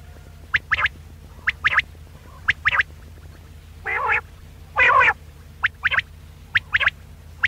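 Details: Quail lure calls for hunting: crisp doubled notes repeating at an uneven pace, broken by two longer buzzy, harmonic calls midway, against a constant low background hum.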